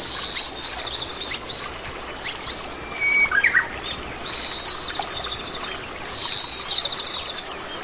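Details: Oriental greenfinch, a common Korean resident, repeating high whistled notes that glide down into buzzy, stuttering trills, four phrases in the clip, with a brief lower chirp midway and constant rushing background noise.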